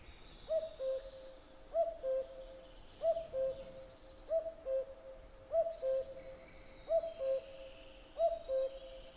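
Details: Common cuckoo singing its two-note call, a higher note followed by a lower one, repeated seven times at steady intervals of about 1.3 seconds, with faint high background birdsong.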